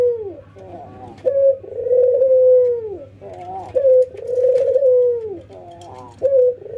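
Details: An albino white and a local ringneck dove nod and laugh during routine training; rapid bubbling laugh notes alternate with drawn-out level coos that drop at the end, about three cycles, with light clicks overhead.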